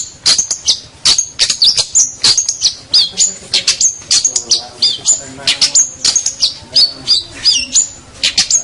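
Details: Champion local long-tailed shrike (cendet) song, recorded as a master track for training other songbirds; rapid bursts of sharp, high whistled notes and clicks, several each second, running continuously over a faint background hiss.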